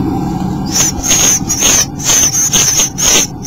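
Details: Bluebirds at the nest, day 8: after a quiet start, a run of high, thin, slightly wavering notes in raspy bursts, about two per second, with brief gaps between them.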